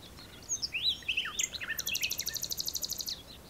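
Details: Digiscoped common nightingale in the dunes of Texel. Sweeping, slurred whistled notes tumble downward, then give way to a rapid, even trill of repeated high pulses that runs to the end.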